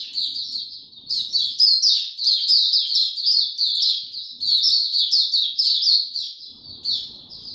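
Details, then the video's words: White-eye given no health supplements, recorded 29 April 2022, opening its song: a long unbroken stream of high, fast chirping notes that rise and fall, strongest mid-clip, with a faint low murmur near the end. "Mata Puteh Hercules buka sing"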